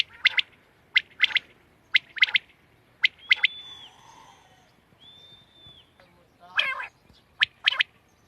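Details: Short, sharp quail notes in pairs and triplets, recorded 31 March 2024, repeating about once a second, interrupted by two long, thin, level whistles and a brief rasping note.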